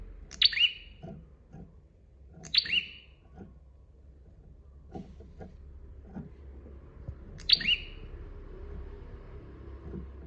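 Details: Bar-winged prinia master recording of active song: three emphatic chirps, two close together early and one later, each a sharp high note dropping to a lower steady tone, with faint knocking sounds between.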